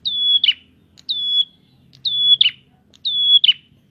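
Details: Prinia song used to bait other prinias, sustained high whistled note then a sharp buzzy downward flourish, four phrases about one second apart, little background noise.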